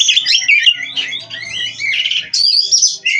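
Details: Captive Oriental magpie-robin (kacer) from an Indonesian breeder in continuous song: rapid whistled warbles and chattering notes, softer in the middle, then a bright loud burst of high whistles.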